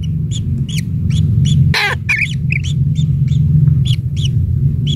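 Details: Young kingfisher nestling, one chick, fed insects at the nest by a parent; rapid series of short rising-falling chirps, several per second, broken by a loud rasping burst, over low steady rumble.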